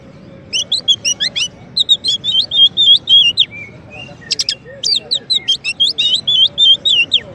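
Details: Champion Oriental magpie-robin used as master song for white-rumped shama training sings fast runs of sharp repeated chips and wavering whistled notes, roughly three per second, with one short pause midway.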